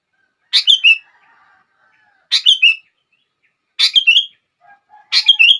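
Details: Repeated sooty-headed bulbul song meant to trigger other bulbuls into singing: four short bubbling phrases of three tumbling whistles, spaced about 1.5 seconds apart, with faint low murmurs in the gaps.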